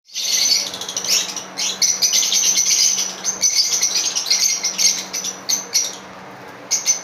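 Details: Pair of green Fischer's lovebirds singing a long, dense run of shrill, buzzy chirping and chattering, almost unbroken for several seconds with brief pauses, then resuming in short bursts near the end.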